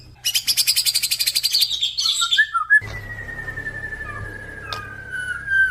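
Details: White-rumped shama, a crossbred F-series male, opens with a fast rattling trill of about twenty pulses, then warbled notes, followed by a long, steady, slowly falling whistle lasting nearly three seconds.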